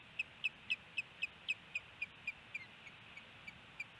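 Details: Osprey at its nest in Hellgate Canyon, Missoula, Montana, on a nest camera, April 27, 2018: about thirteen short, sharp whistled chirps, roughly four per second, fading and slowing toward the end over a steady background hiss.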